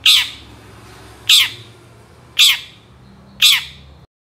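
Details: Long-tailed shrike calling for use as a lure to set other shrikes singing: four loud, grating squawks spaced just over a second apart, each rough and downward-trailing, over a faint low hum.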